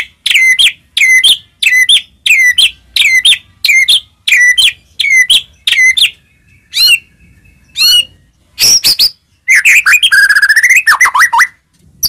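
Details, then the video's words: White-rumped shama singing to provoke other shamas: about eleven identical clipped, downslurred phrases in steady succession, then varied high notes and a fast rattling trill near the end. "murai batu gacor, AMPUH buat pancingan murai batu agar bunyi"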